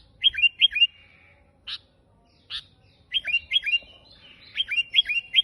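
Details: Sooty-headed bulbul in energetic, unusual song used to lure and tutor other bulbuls: short runs of three to five bright downslurred whistles, broken by two harsh sharp notes, ending in a rapid sequence.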